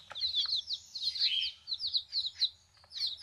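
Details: Baby chicks, newly arrived in a backyard flock, giving a steady chorus of shrill, quick peeps that slur downward, several birds calling together over a faint low hum.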